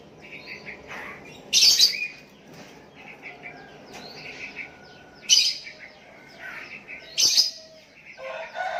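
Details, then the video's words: Sooty-headed bulbul calling out to a rival, with other bulbuls replying; three loud, harsh bursts separated by quieter bubbly chirps, plus a faint whistled line. "Burung Kutilang Memanggil Lawan pancingan,,dan Kutilang Lain Ikut nyahut"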